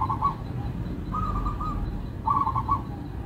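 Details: Zebra dove of a local strain, melodious song: quieter rapid strings of pulsed cooing notes, three brief runs separated by short gaps, with low rumbling noise beneath.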